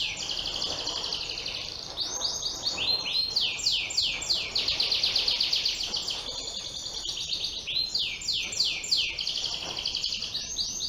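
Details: Bottle-green canary from Yogyakarta in energetic song; fast, high, bubbling trills roll on in repeated runs of rapid notes, with faint background noise.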